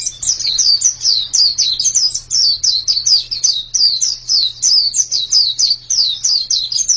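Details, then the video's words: White-eye pouring out a fast series of high, sweet chirps sliding downward, closely packed phrases with short breaks, over a low constant hum. "Ini pasti pleci yang sangat super itu kicaunya"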